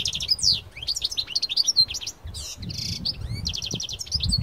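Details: Parva goldfinch taken into nature, pouring out a dense, continuous high song of rapid twitters, sliding whistles and a short buzzy trill, with soft low background rumble.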